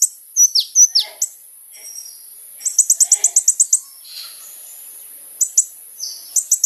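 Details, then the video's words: Lively singing of a kolibri ninja sunbird, used as a lure to draw a response from other birds: very high, thin squeaky slurred notes, then a fast run of about ten sharp ticking notes, with short trills later. "SUARA BURUNG KOLIBRI NINJA GACOR"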